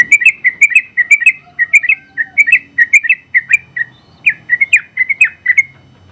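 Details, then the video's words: Sooty-headed bulbul, a first-place winner in a general-class singing contest, in its long rapid 'ropel panjang' song used for training other birds: fast series of short, clear downslurred notes, about two per second, briefly pausing near the end. "KICAU Suara Burung Trucukan Gacor ropel panjang ampuh buat masteran trucuk"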